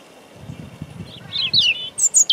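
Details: European robin singing near the camera in Deal, Kent, 17 April 2021: wind rumble underneath, then quick high descending twitters rising into piercing very high whistled notes at the end.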